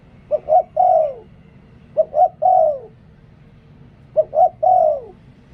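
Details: Three evenly spaced three-part phrases from a decoy spotted dove in liu tan style: a quick low coo, a short rising one and a prolonged descending coo, repeating about every two seconds against quiet low hum.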